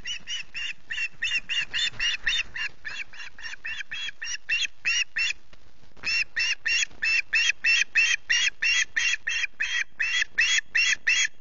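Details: Hungry osprey chick at the Loch Garten nest in Scotland, 14 August, early morning, screeching for food: harsh, shrill squeals repeated about three times a second in long steady runs, with a brief pause midway.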